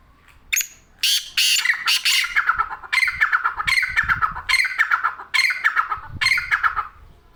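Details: Black francolin in Sindh, Pakistan, giving a loud harsh rasping call in repeated bursts: a short note then a series of grating phrases roughly every second, each descending slightly, with faint low background rumble.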